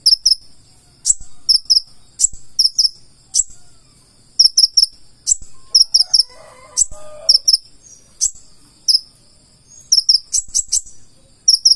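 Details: High, needle-thin chirping of a purple-throated sunbird (konin), 'gacor full isian' singing: repeated groups of quick paired notes broken by sharp clicks, with a brief soft lower warble near the middle.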